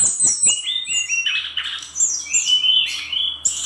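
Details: A singing brown-chested jungle flycatcher of Bali stock delivers a short flurry of high whistles. Notes step and slide downward, then run into a rich warbled passage and a clear drawn-out whistle.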